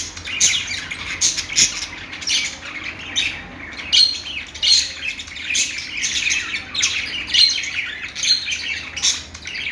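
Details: Budgerigar chirping: lively, uneven stream of short sharp chirps and clicky twitters, roughly one or two a second, rising and falling in loudness throughout.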